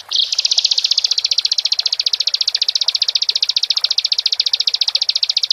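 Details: Bar-winged prinia song meant to provoke rival singing: a sharp opening note leading straight into a sustained, rapid, high trill of steady buzzy pulses.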